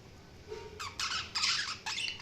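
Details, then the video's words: Budgies chirping in harsh, scratchy bursts: after a quiet start with a brief low tone, three or four loud, noisy squawk-like phrases follow one another with short gaps. "Budgies Sounds| Budgies Chirping sound"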